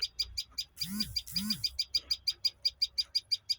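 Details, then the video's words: Rapid high chirps from a bird, roughly three a second in a steady train, with two lower rising-then-falling sounds heard early on over a faint low rumble. "bird chirping"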